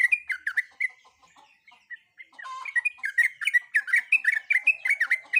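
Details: Breeding female sooty-headed bulbul calling a male: chirps and slurred notes, a quieter stretch with a brief buzzy note, then a denser fast series of bright chirps.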